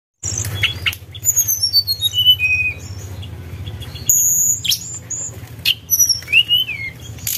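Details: Javan tesia song used as a lure: high whistled notes sliding downward in a stepped series, then sharp rising and falling whistles and brief buzzy bursts, over a steady low hum.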